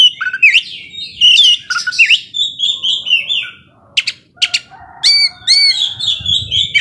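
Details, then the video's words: Oriental magpie-robin song meant to rile a slower-tempered bird: varied whistled slurs and scratchy notes, sharp clicks midway, then repeated arched whistles and chattering phrases. "Kacer gacor ngobra bisa memancing emosi kacer yang lambat emosi"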